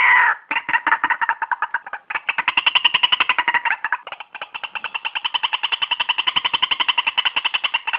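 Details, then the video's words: White-breasted waterhen call used as a trapping lure: a long, fast, even series of harsh clucking notes, roughly three or four per second, running without pause, with a brief break near the start and another near four seconds. "suara ruak ruak terbaik"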